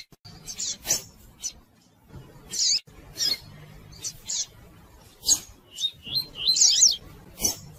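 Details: Female double-collared seedeater calling and chirping at length, a sound used to stimulate males to sing; short, high, squeaky chirps come in quick bursts, some paired, with a twittering run near the end over faint low background noise.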